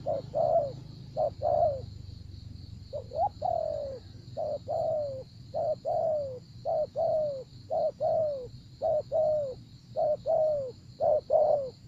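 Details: Spotted dove in a decoy trapping session, cooing at length: repeated pairs of a short clipped note and a longer, downward-sliding coo, about one pair per second. A constant high whine sounds in the background.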